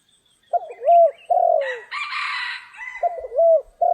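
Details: Spotted dove recorded during trapping on a stormy, rainy day: low, hoarse cooing phrases, a stuttering lead-in then a longer falling coo, repeated at start and end, with a brighter, higher chirping burst in the middle.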